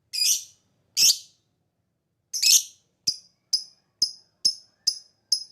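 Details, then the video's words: Lovebird lure sound meant to provoke other birds into replying: three harsh, rasping chirps followed by a run of six sharp, high ticking notes about every half second, ngetik style. "Pancingan Lovebird Ampuh NGETIK PANJANG NGEKEK Semua Burung akan Emosi Nyaut"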